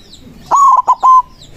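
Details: A white zebra dove calling rivals with its manggung song gives one resonant coo: a long steady note, then two short notes and a closing held note, with quiet surroundings.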